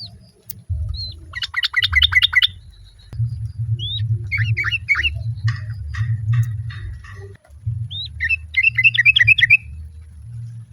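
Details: Calling female sooty-headed bulbul, other birds answering: repeated bursts of fast, harsh chattering with rising whistled notes between them, over a constant low hum.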